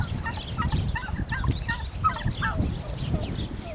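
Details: Turkeys fighting over territory give a rapid run of short, hooked, mid-pitched notes, a rattling gobble-like series over a steady low rumble of scuffling and background noise.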